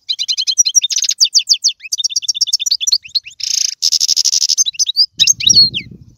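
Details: Goldfinch song for encouraging a pet bird to sing: fast chattering notes, a dry buzzy rattle in the middle, then sharp twitters, with a short low rumble near the end.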